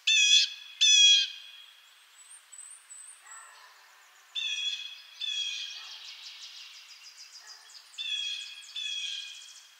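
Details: Two loud harsh calls from a blue jay, eastern North America, then softer echoing notes and a later series of rasping, buzzy jay calls of moderate strength.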